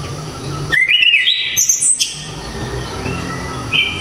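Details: Orange-headed thrush, known in Java for loud, sharp, very clear song; one rapid phrase of rising whistles stepping upward to very high squeaky notes, then quieter low background hum and a short whistle at the end.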